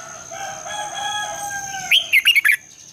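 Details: Red-whiskered bulbul singing in the morning, a lure recording of long twisting double-voice song: a drawn-out rooster crow in the background, then a burst of five or six bright, bubbling, warbled notes.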